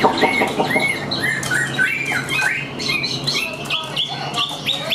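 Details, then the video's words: Caged Chinese hwamei, tame enough to sing perched on the hand, gives a fast stream of rising whistled notes and harsher chattering phrases over steady indoor background noise. "Chim Họa Mi Hót Đỉnh Cao, Thuần Sách Tay Hót"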